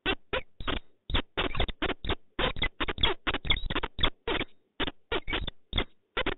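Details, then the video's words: Pair of peregrine falcons meeting in Poznań, Poland, on 4 January 2023; a fast series of harsh, clipped kek-like notes, about four per second, loud and close, with short gaps and no other clear sounds. "spotkanie Velio i Maltanki"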